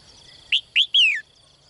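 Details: Female bird in a cage calling to draw a strong male, heard each morning; two short rising chirps followed by a drawn-out descending whistle, with a thin continuous high-pitched background tone.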